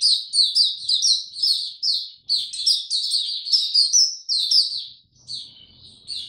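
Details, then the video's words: A white-eye in full song during warm, very humid weather, 26 March 2022. It pours out fast, high, jingling twitters in bouncy pulses, then trails off into a quieter pause before a last few notes. "Mata Puteh Hercules buka sing warm n very humid weather"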